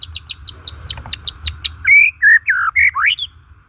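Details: Shama song, white-rumped, for prompting shamas that stopped singing or are stressed: a fast series of high clicking ticks about three per second, then a loud phrase of rich slurred whistles, one sweeping steeply upward.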